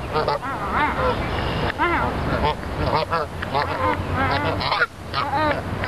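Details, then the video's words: Repeated arched nasal honks from several wild geese at Dufferin Islands, Niagara Falls, come every second or so, loud and close over a low background rumble. "Husy / Geese"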